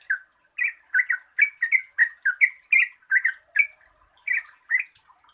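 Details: Yellow-vented bulbul (trucukan) singing a lively 'gacor ropel panjang' sequence meant to wake up birds that sing little. Warbled, bubbly notes pour out in quick groups, easing off briefly near the end, over a faint high hiss.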